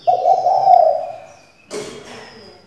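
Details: Female spotted dove used as a decoy to stir males into cooing, giving a low rolling coo of about one second, then a short broadband rustle and a faint softer coo.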